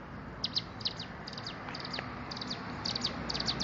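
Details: Bar-winged prinia singing vigorously; quiet, high, sharp chips in pairs and short clusters, spaced irregularly over a steady background hiss.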